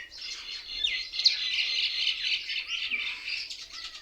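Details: A dense chorus from many mynas sitting together in one tree, said to mimic other birds and seem to laugh at each other: continuous loud, harsh overlapping chattering and squawking, with a few slurred whistles, for the whole four seconds.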